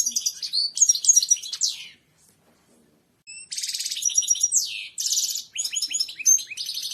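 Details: Goldfinch song for training pet birds: a loud burst of fast liquid twitters and slurred notes, a silent pause of about a second, then another long, dense run of buzzy trills and chirps.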